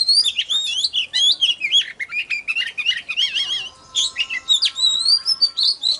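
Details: Excited oriental magpie-robin song meant to trigger singing and draw in wild birds: fast warbling chains of wavering whistles, repeated trill-like notes, a brief gap, then more high, bright phrases.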